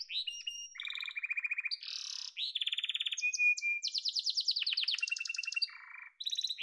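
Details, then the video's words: Yellow domestic canary song of quick changing tours: fluttering high rolls, evenly pulsed lower rattles, a short whistled glide and rapid ringing trills, with no background noise. "Muhteşem Kanarya Sesi: Sarı Kanarya'nın Efsanevi Ötüşü"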